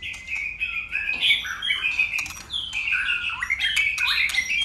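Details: A white-rumped shama sings a long, dense stretch of contest song: continuous warbled whistles and buzzy chatter with hardly a pause, its tone changing constantly.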